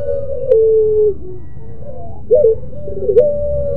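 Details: Puter pelung dove with a moaning call: a long steady mid-pitched tone falling at its end, then a quieter gliding note and two quick looped coos before another long held tone; low hum throughout.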